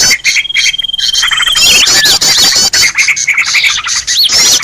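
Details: Green leafbird's noisy 'ribut' call for luring birds: opens with a long level whistle over soft chirps, then breaks into loud harsh chatter and looping whistled flourishes.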